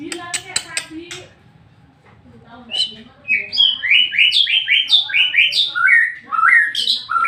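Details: White-rumped shama song meant to stir another shama into singing. Opens with a few harsh, buzzy notes, then a quiet gap, then a rapid run of repeated swooping whistles that slide up and down.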